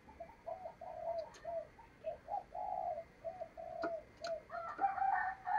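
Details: Decoy spotted dove luring wild doves for trapping, giving a rapid string of short hollow coos that swells into longer, louder notes, set against a constant background hum and scattered clicks.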